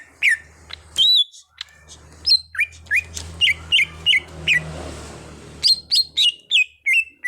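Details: Greater green leafbird (cucak hijau), an untrained bird being trained into prolific singing: varied whistled chirps that slur downward and sometimes curl upward, given in rapid runs with short gaps. A faint low rumble sits in the background.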